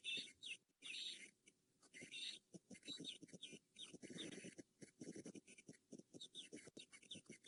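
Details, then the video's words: Francolins calling on a morning safari drive on 2 February 2018 give harsh, grating bursts about once a second, with foam nest frogs clicking, scrub robins singing and a low rumble underneath. "So we had some francolins calling there and some foam nest frogs in the background."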